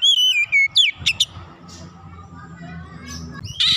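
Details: Oriental magpie-robin, locally kacer, singing as a warm-up to raise aggression; a few clear whistled notes with falling slurs and sharp upsweeps, then a long pause over low hum, a final buzzy note at the end.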